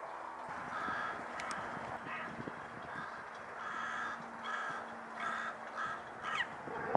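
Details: Carrion crow calling a run of short, harsh caws at uneven intervals over a noisy outdoor background with occasional clicks and knocks.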